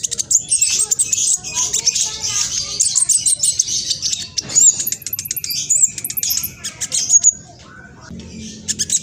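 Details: Young spotted-plumage black sunbird in East Java, Indonesia, recorded on a phone, giving a fast, scratchy, high chattering song used to provoke other males into answering; dense twittering bursts with brief sharp whistles, fading out near the end.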